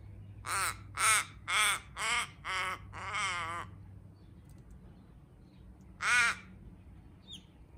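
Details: Backyard crows, active around ripening fruit, have found a food source and call to inform other crows. Five harsh caws come about every half second, then a longer rasping caw, a pause, and one more caw over a low steady hum.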